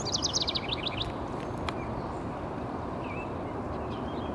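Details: A House Wren in High Park on 25 May 2021 gives a quick, bubbly burst of about a dozen high, tumbling notes lasting a second, over steady low traffic rumble and a faint distant whistle.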